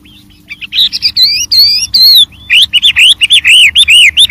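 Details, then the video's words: Wild white-rumped shama in full, varied song: after a soft start, bright whistled phrases with arching, upswept notes follow each other rapidly, growing louder and denser toward the end. "suara Burung Wambi Gacor Variasi Banyak dialam liar"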